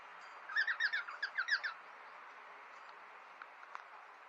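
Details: Cockatiels squabbling in a friendly fight, kept as pet parrots alongside budgies; a quick burst of about seven squeaky, chirping calls packed into just over a second, followed by near silence with a couple of faint taps.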